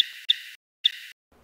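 Purple Finch flight calls: three hard, dry clicks, two close together and a third just after, each sharp and high-pitched, with near silence between.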